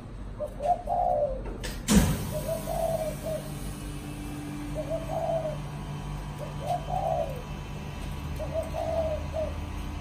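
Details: Caged spotted dove cooing: soft low hooting phrases repeated at intervals of about two seconds, after a loud knock, over a steady low hum.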